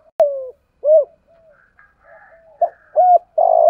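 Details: Decoy spotted dove with a 'giọng thổ' voice, used for lure training and stimulating new birds. A falling coo and a rounded hooked note are followed by soft murmurs, then more hooked coos and a buzzy held note at the end.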